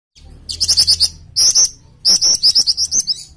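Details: Flycatcher-shrike (jingjing) song on a training recording with varied song: three bursts of rapid, high, ringing chirps, each a quick string of sharp repeated notes separated by brief pauses, over a faint low hum.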